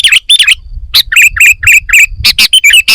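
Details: Sooty-headed bulbul full fill-in song: loud, lively chirps and slurred whistles delivered in quick uneven clusters, with short gaps between groups.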